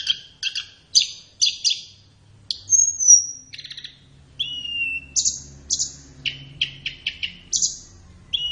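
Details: High flowerpecker master song for captive-bird training in morning or afternoon: paired sharp chips, a long thin descending whistle, a lower slurred whistle, then rapid scattered ticks.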